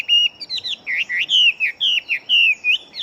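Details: Fighting-type Chinese hwamei with a large build, said to sing very quickly. It delivers a continuous stream of loud, rich whistled notes that twist up and down in rapid succession, with barely any gaps.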